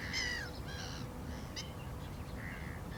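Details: A black-winged stilt gives a clear, falling nasal yelp, then shorter barking notes and a later drawn-out call, with a low rumbling background throughout.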